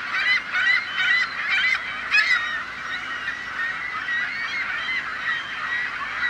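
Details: Gulls giving loud, clamorous, yelping calls in quick, uneven bursts, several birds calling together over a steady background chorus.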